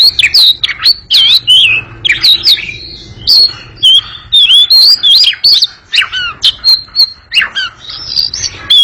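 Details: Oriental magpie-robin delivering an extended, lively ngekek chatter, with quick wavering whistles mixed with scratchy clicks and squeaks, phrases tumbling one after another almost without pause.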